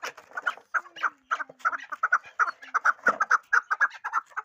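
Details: Hybrid fighting chukar partridge kept for fighting, giving loud, rapid clucking chuk notes in uneven bursts that speed into a dense chatter, with a faint low hum in the background.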